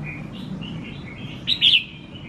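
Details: Tamed red-whiskered bulbul, used to people after a week in captivity, sings: soft, faint warbled notes at first, then a loud, sharp, bright double whistle near the end, over low background hum.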